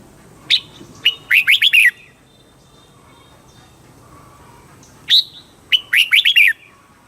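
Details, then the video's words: Red-whiskered bulbul from Thailand singing a southern master-style phrase used to stimulate caged birds and tutor chicks; two short bursts of sharp rising and falling whistled notes, five or six notes each, separated by quiet pauses. "เสียงนกกรงหัวจุก ร้อง ริก เปิดให้นกฟัง ยั่วให้นกคึกจัด"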